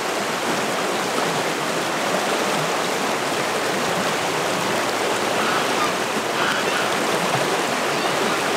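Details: Steady rushing of a stream or small waterfall fills the whole recording with broad, even hiss, and no animal voice stands out.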